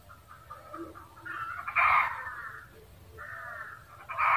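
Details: Red junglefowl cackling: a series of harsh, nasal clucks building into a loud drawn-out squawk, a pause, then another rising burst at the end, over quiet background.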